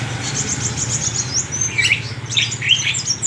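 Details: Sunbird (kolibri wulung) giving quick, high, sharp twitters and short buzzy chirps against a constant low mechanical hum.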